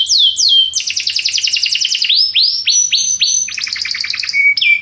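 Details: Belgian canary song: rapid rolling trills, falling swept whistles and buzzy repeated notes, changing phrase every second or so, clear and loud with no other sounds.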